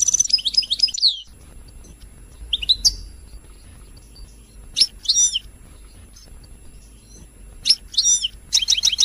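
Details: Royal goldfinch singing, played to stimulate other birds to sing: a fast high twittering burst opens, then scattered sharp chirps and short trilled phrases separated by quiet pauses.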